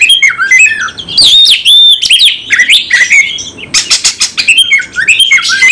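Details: Oriental magpie-robin in combative full-repertoire singing: loud clear whistles, downslurred notes and scratchy rasping bursts, alternating quickly in an uninterrupted, emphatic stream.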